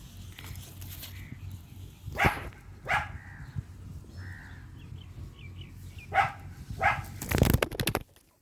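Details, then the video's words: Fighting ringneck parrots: several harsh, grating squawks come at irregular intervals, with a few short high chirps between them and a loud noisy clatter near the end, over a low background hum. "Ringneck Parrots Funny Fight"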